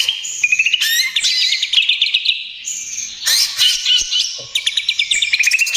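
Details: Vigorous song of a greater green leafbird, in 'trotol gacor' style for luring and therapy of other birds: sustained whistled tones, then stuttering runs of clipped repeated notes and bursts of loud rattling chatter.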